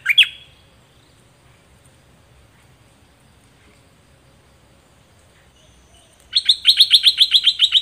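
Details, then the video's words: Zebra finch song for training young finches: one short nasal note, a long silence, then a fast, regular string of clicking, buzzy pulses repeated several times a second. "เสียงนกดอกแตงเจ้าเพชรกับเจ้ามณี เสียงใหม่ล่าสุด2020ไว้สำหรับต่อ ใช้หัดลูกนกให้ร้องตาม"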